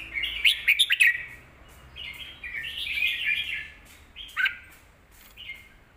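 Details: Caged Red-whiskered bulbul singing as a lesson for young birds: an opening run of sharp chirps, then a flowing warbled phrase, a single emphatic note near four seconds and a soft closing phrase.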